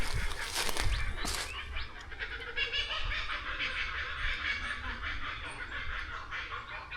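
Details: Kookaburras laugh in the distance at a rural Australian horse stud, a continuous chattering, cackling chorus rising and falling, "going crazy", partly masked by wind rumble and handling noise.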